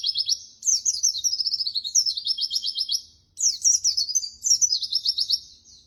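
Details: White-eye (pleci) in energetic 'gacor' singing, used as tutor material for training birds: rapid high twittering trills with sliding chirps in two bursts, a brief pause near the middle, background otherwise quiet.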